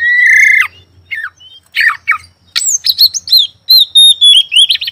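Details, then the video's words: Oriental magpie-robin in lively song, heard morning, afternoon and night: a long steady whistle, then scattered chirps building into a fast run of sharp, high, repeated notes and slurred whistles. "Suara burung Kacer pagi siang malam"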